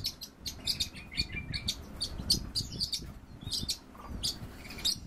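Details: Two orioles kept as cage birds calling together in a duet: sharp high chirps and short whistled notes repeated in quick bursts, with a steady low rumble and soft background music underneath.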